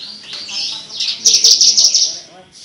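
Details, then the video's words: Javan bush lark, described as having a melodious voice, giving bright, high chirps and a rapid run of buzzy trilled notes in the middle, rising and falling, with soft background murmur. "Burung branjangan edun suara merdu"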